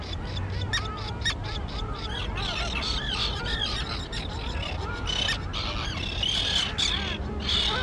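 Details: Juvenile terns calling at their island colony thick with grass: a mix of short harsh squawks and sharper clicks, irregular and overlapping, building into a louder high chorus near the end, wind noise below.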